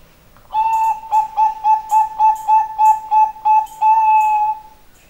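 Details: Bangkok-type zebra dove (perkutut) giving a string of about ten soft, mellow cooing notes at a steady pitch over four seconds, the first and last notes drawn out longer.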